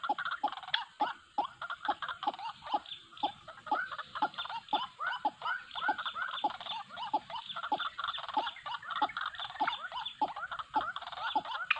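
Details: White-breasted waterhen, known locally as wak wak, recorded as a lure for trapping birds; harsh, nasal notes repeated rapidly about three times a second, several overlapping with a steady high hiss behind.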